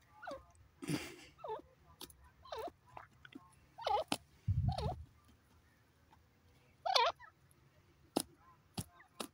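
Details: Grey francolin call with looping, curled notes repeated in short phrases, broken by loud clicks, a low thump and bursts of rustling noise.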